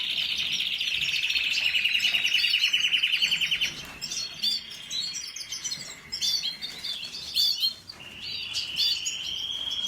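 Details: Canary song, recorded on 1 April 2021: a long, fast, even trill, then varied chirps and twittering phrases, ending in another rolling trill, with constant background hiss.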